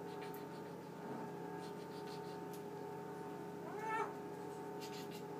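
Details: Pet male Eclectus parrot indoors at night, running through its growing talking vocabulary before being covered for sleep; one short harmonic, wavering talked phrase near the end over a steady refrigerator hum.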